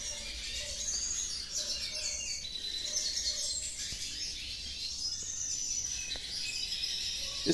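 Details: Caged pet hooded siskins placed around a house sing in a living room: a fast, continuous high twitter of chattering trills and buzzy notes, with a man talking quietly underneath.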